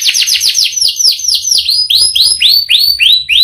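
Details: Canary singing in quick downward-sweeping whistles, then slower upward-curving notes spaced about three per second, clear and loud.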